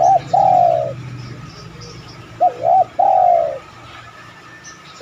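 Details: Spotted dove coos used to provoke other doves into cooing: repeated phrases about every three seconds, each a pair of short wavering notes followed by a long smooth falling coo, with a low rumble early on.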